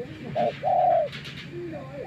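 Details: Decoy spotted dove, worked on after days outdoors, uttering a short coo followed by a longer, drawn-out purring note, then a faint trailing coo, in a quiet setting.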